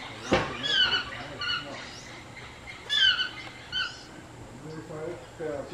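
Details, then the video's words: Yellow-throated toucan in Costa Rica, March 2023, giving harsh, yelping notes in short bursts, a few strung together, with pauses between groups; faint murmuring voices in the background. "Yellow Throated Toucan call"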